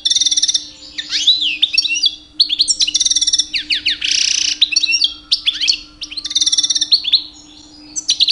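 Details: Pet European goldfinch, a two-year-old male, in rich mating-season song to attract females: fast varied twittering, sweeping whistled slides and a harsh buzzy note midway, almost continuous over a low hum.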